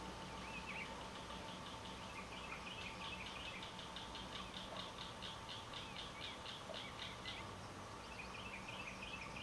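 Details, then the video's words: Eastern bluebird, recorded May 16, 2011, gives soft warbled notes, then a quick series of short high chips several times a second over steady hiss; distant shotgun-like blasts, sirens and electronic sounds are noted. "Eastern Bluebird"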